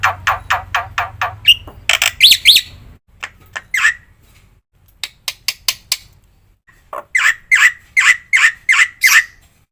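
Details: Black-winged myna training song with varied fills: a quick series of clicking chips over a low hum, a few harsh squawks, scattered sharp notes, then a run of evenly spaced nasal chatter notes.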